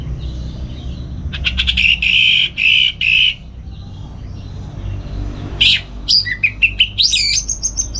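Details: Captive orange-headed thrush in North Bali singing gacor in the morning, used to provoke and train other songbirds: rapid repeated harsh notes in three bursts, then a short pause before varied, twisting high whistled phrases.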